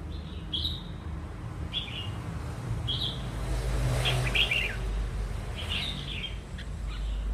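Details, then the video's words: Red-whiskered bulbul, wild-caught and prompted to sing, repeats short bright whistled phrases every second or so, breaking into a fuller warble midway, while traffic rumbles in the background. "Kích chim chào mào bổi"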